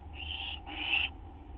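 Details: Nest of owls just after midnight on 6 September 2011 during a food delivery: two close, drawn-out rasping hisses, the second louder, over a low steady hum.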